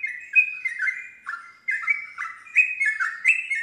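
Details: Yellow-vented bulbul used to lure a stalled, non-singing bulbul into responding and singing along. Rich liquid chirping phrases, each dropping then rising, delivered in rapid bursts about every half second.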